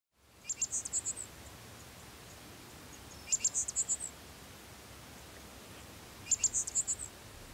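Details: Black-masked finch recorded in Pompéu, Minas Gerais, Brazil: three very high, thin phrases of about six quick buzzy notes each, spaced roughly three seconds apart, over a soft steady background hiss.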